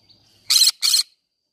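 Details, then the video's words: Green-cheeked conure in a flower garden giving two loud, grating screeches back to back, each roughly a fifth of a second, over a faint thin whistle-like background tone. "green cheek conure singing sounds"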